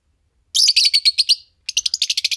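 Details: A green Fischer's lovebird pair making two rapid, dense trains of high, harsh chirps, about a dozen each, separated by a short silence.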